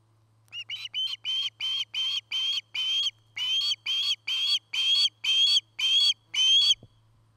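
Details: Osprey at a nest near Charlo, Montana, recorded by nest camera on 8 September 2018 in early afternoon: a run of about fourteen loud, high whistled chirps, each slightly rising, repeated roughly twice a second, over a faint steady low hum.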